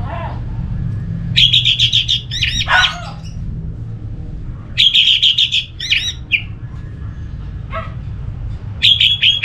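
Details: Orange-headed thrush song meant to set other thrushes singing: repeated phrases of rapid buzzy trills and sharp slurred notes in bursts of about two seconds, with pauses between, over a low hum.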